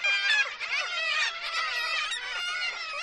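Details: A dense din of many kittiwakes calling at once at Dunbar, Scotland: overlapping nasal, wailing cries with no pause, loud and continuous throughout.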